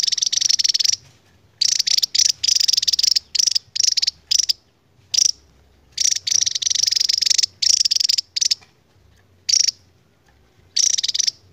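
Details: Javan tesia, an endemic bird, delivering its long rolling 'ngebren' song: loud, high, rapid pulsed bursts of buzzy trilling, some over a second long, separated by short silences; no other sounds.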